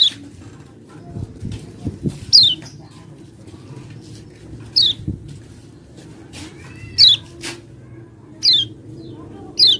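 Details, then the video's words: Common iora lure meant to provoke singing: sparse, sharp, downward-sliding high whistles, one every second or two, with soft background rustle. "Kecial kuning bakal EMOSI & GACOR NGALAS Ngejos Jika Mendengar Pancingan Ini"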